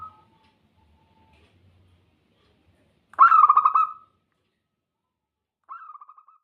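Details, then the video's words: Zebra dove (perkutut) song in short bursts: one rolling trill of pulsed coos lasting about a second, then after a silence a shorter, softer repeat. "TERAPI PERKUTUT CEPAT BUNYI GACOR"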